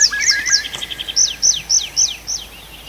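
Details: Bird singing at night in a forest in Arkhangelsk Oblast in June: a fast series of clear descending whistled slurs, repeated about every quarter second, with lower trilled notes at the start, in a quiet background.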